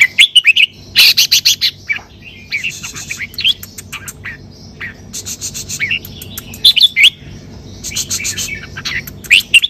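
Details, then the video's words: Red-whiskered bulbul singing in the Thai 'sai bern' (double) song style, a pleasant phrasing: bright, liquid whistled phrases rising and falling, repeated in bursts every few seconds, with sharp chirps between and a faint low background hum. "นกกรงหัวจุก สายเบิ้ล สำนวนเพราะๆ"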